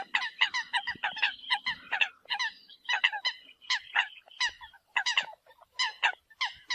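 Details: Eurasian coots used as a decoy call, giving loud, short, nasal honks in quick uneven bursts, several birds overlapping, with a few slightly longer drawn notes mixed in.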